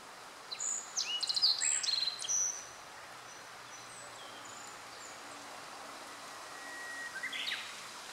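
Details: Probable black-faced bunting song, recorded 14 July 2013; the bird was not seen, so the identification is uncertain. It gives a brief, high, bright phrase of sharp chirps and trills, then a quieter note near the end over soft hiss.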